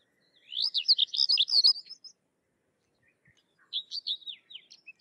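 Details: Sykes's lark giving a dense, loud scratchy warble of rapid chirps, a brief pause, then a second softer phrase of slurred twittering notes.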